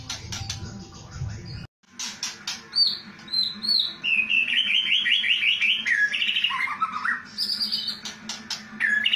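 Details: Kretekan song of a white-rumped shama, the style judges look for: crisp ticks after a brief silence, high looping whistles, a long fast rattling trill sliding lower, then scattered bright whistles, with a low hum throughout.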